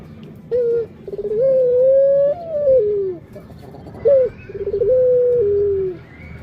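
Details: Barbary dove with two coo phrases: a brief opening note, then a long coo rising steadily and dropping away at the close, the second phrase a little shorter.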